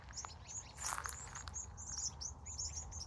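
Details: Birds in California at sunset in the evening: a busy flock of high, thin chirps and short twitters, with a brief louder rushing burst near one second over a low steady rumble.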